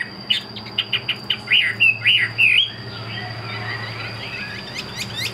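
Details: Chinese hwamei kept in a cage opens with a series of short sharp chips, then a few looping whistles, before its voice fades into quieter distant twittering over a background hum and steady tone.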